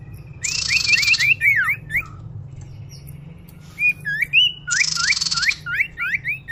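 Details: Common iora lure call used by hunters to attract birds: series of short upslurred whistled notes, some looped, alternating with dense buzzy rattling bursts, with quieter gaps between phrases.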